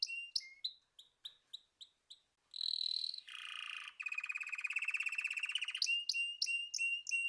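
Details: Canary song opening with a series of separate sharp chip notes. These lead into a high whistled phrase, a lower buzzy roll and a long fast rattling trill, then more spaced clipped notes.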